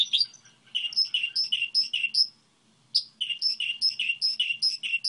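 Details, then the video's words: Repeated clear, two-part chirps from a Goldfinch hybrid song model, delivered in steady sequences with one pause of about a second in the middle. "Hibrid sticlete ,model de cântec (Goldfinch hybrid)"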